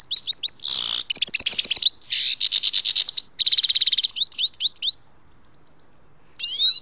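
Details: Grey-headed goldfinch in full song during trapping: dense run of rapid chirps, rattling buzzy trills and twittering notes packed together for five seconds, then a pause and a final burst of high slurred notes.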